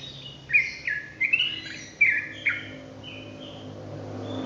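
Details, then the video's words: Sooty-headed bulbul singing ropelan-style. About six short slurred whistles, some falling and some rising, tumble out in the first two and a half seconds, then the phrase fades into quiet background hiss. "TRUCUKAN ROPELAN GACOR"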